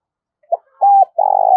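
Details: A spotted dove calling as a decoy to lure wild doves gives a brief burst: a short coo, a flat clipped coo, then a long, buzzy, sustained coo.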